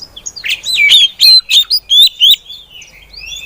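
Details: Female Oriental magpie-robin song, used to lure other magpie-robins into singing; a quick run of about six loud, clear whistled notes and sliding sweeps, preceded by softer twittering.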